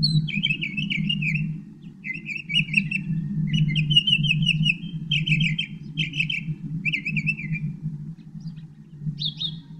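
A Northern mockingbird sings a string of varied, chattering phrases, each repeated a few times in quick bursts, over a steady low hum.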